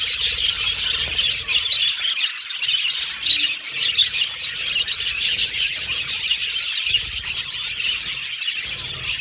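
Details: Pet Australian budgies chattering, dense high scratchy warbles and squawky chirps from many birds overlapping without a break.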